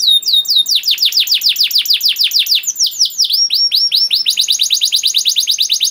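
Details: Canary song for training young canaries: fast series of bright descending whistled notes, about two per second, changing after three seconds to quicker, higher rolling phrases; clean, no background.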